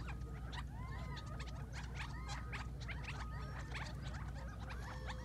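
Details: Quail waking at dawn in the Mohave Desert, heard from a distance through an iPhone: short arched notes from several birds overlap with rapid ticking and clicking chatter, a thin steady tone and a constant low hum beneath.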